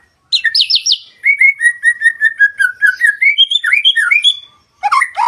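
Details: Master song of a white-rumped shama, played to prompt other birds to sing: a brief high flourish, then a long run of evenly repeated mid-pitched chirps that climb into varied whistles, ending in a separate short phrase.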